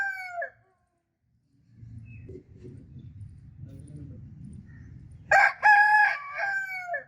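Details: Rooster crowing: a loud harmonic crow with a rough opening burst and a long held, slightly falling tone, after the tail of an earlier crow and a stretch of low rumbling background noise.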